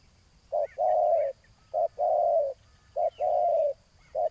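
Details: Spotted dove lured with a decoy bird set on the ground. It gives low, mellow cooing phrases: a short note, then a longer drawn-out coo, repeated roughly every 1.2 seconds. Faint higher chirps of other birds come in between.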